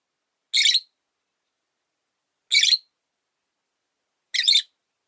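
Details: Single pet rosy-faced lovebird in a cage by a window after losing its partner: three short, raspy, high chirps, roughly two seconds apart, clean and unaccompanied.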